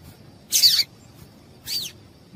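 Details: Female yellow-bellied seedeater call that stimulates males to sing: two high notes about a second apart, the first longer and buzzy, the second a clear falling whistle-like sweep.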